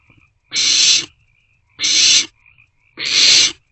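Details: Begging from barn owlets in an owl box around 2 am, 27 March 2024, as they pass food between them. Three rasping, breathy screeches about a second apart.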